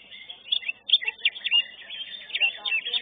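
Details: First-place greater green leafbird singing in a cage at a bird contest, class 11: a quick jumble of bright chirps, upswept whistles and short buzzy notes in loud clustered bursts.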